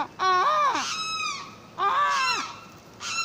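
Limpkin giving loud, wailing, nasal screams that rise and then drop away, repeated about every one and a half seconds.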